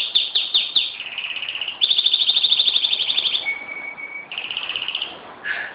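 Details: Pet canary singing at home in Jeddah on September 26, 2008: fast trilled rolls of high, sharp notes, a long rapid rattle, then a thin sustained whistle and another quick trill.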